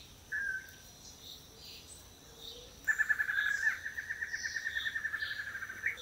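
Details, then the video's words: Long-tailed Manakin males performing a courtship display on a lek in Costa Rica; a brief whistled note, then a rapid run of repeated buzzy pulses held at one pitch for about three seconds, with insects and other birds faintly behind. "Eye-catching Courtship Dance of the Long-tailed Manakin"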